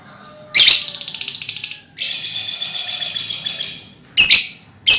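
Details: Colony lovebirds, a lure to draw out trilling: a loud buzzy, rapidly pulsed rattling chatter runs for over a second, then a longer steady buzzy trill, followed by two harsh shrieks.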